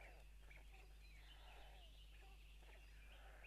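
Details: White storks in Tukums, Latvia, June 12, 2022, 04:54, as mother and father arrive and spill food for the babies at the nest; soft, drawn-out whining calls with gentle down-slurs over a strong low hum.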